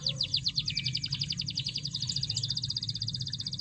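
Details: Canary song for stimulating silent canaries: a long, very rapid high trill of repeated short notes with a brief lower whistle, somewhat quieter, over noticeable low rumbling background noise.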